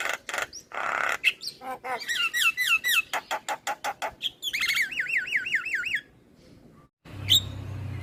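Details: Song of a male black-winged starling for luring starlings: rapid repeated notes, then looping whistled phrases and a long rolling warble, a pause, and one final sharp call with a low hum.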